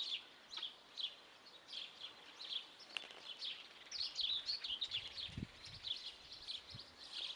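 Guineafowl give harsh, grating calls repeated about twice a second, several birds overlapping, with a few dull thumps in the background.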